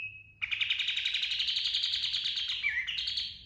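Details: Pied triller in ngerol style: a brief steady whistle, then a long dense rattling trill of quick pulses holding a fairly high pitch, with a short downslurred note near the end.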